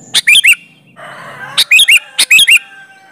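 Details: Lure song of a sooty-headed bulbul in full 'gacor' voice, meant to draw answers from other bulbuls: three quick phrases of bubbly, rising-then-falling whistled notes, closely spaced, with a brief murmur of background noise between.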